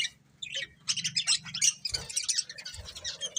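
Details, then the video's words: A breeding pair of budgerigars chirps in a lively, continuous stream of scratchy warbling and squeaky notes, with a couple of soft low thumps and a faint hum beneath. "Cute Budgies Chirping Sounds"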